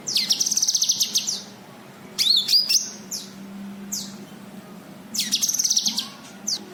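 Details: White-eye (cucak kinoi) calls used as a lure for untrained birds: rapid high buzzy chatter bursts, sharp rising whistles and thin downslurred chips, separated by short pauses, over a faint low hum.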